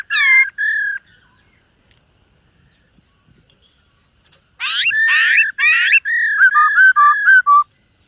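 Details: In morning song training, a silver-eared laughingthrush gives two whistled notes, falls silent for several seconds, then delivers harsh rasping notes followed by a rapid series of short whistles.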